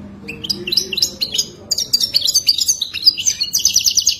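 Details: Wadani-style European goldfinch song, a continuous liquid twitter of quick high chirps and buzzy trills that grows denser and brighter in the second half.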